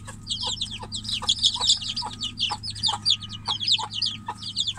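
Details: Chicken chicks confined in a cage, mother hen outside, cheeping loudly for her; high, thin, downslurred peeps pour out almost nonstop from several birds, mixed with rhythmic clicking taps and a low droning hum.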